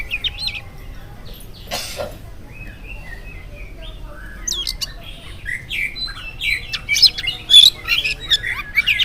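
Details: An oriental magpie-robin sings in the morning, a lure for other birds. It starts quiet, with a few soft chirps and a rasp, then builds into a dense stretch of varied whistles, squeaks and scratchy notes toward the end.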